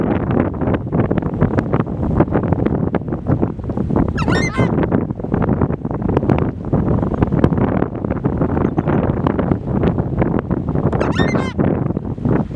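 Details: Two loud, harsh trumpeting honks from a Southern screamer (Chauna torquata), about seven seconds apart, over steady heavy wind rumble, recorded in Uruguay.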